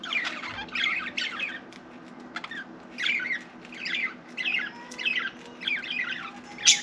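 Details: Pet budgerigar chattering as if trying to talk, with short bursts of scratchy warbled chirps repeated roughly every second, separated by brief pauses.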